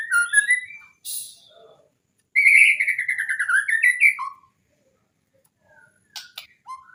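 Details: White-rumped shama training song for birds that rarely sing: varied whistled phrases, a rising slurred whistle, a sharp high burst, then a long rich warbling run with rapid ups and downs, ending in scattered short notes.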